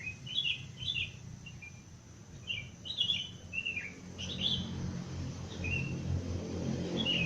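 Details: Wild birds singing at 5 am in the open countryside, still fairly dark: short bright chirped phrases, some slurred downward, repeated about twice a second, over a steady low rumble of background noise.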